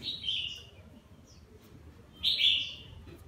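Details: Red-whiskered bulbul, partial cheek patch and lân crest, singing as it bathes: two clear whistled phrases, one at the start and a louder one near the end, with quiet background between.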